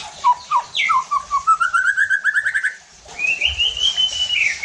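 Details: Provocation song of a White-rumped shama, meant to rouse other shamas and make them show their full repertoire: clear whistles lead into a fast string of repeated, rising notes, then a pause and a long, sweeping whistle.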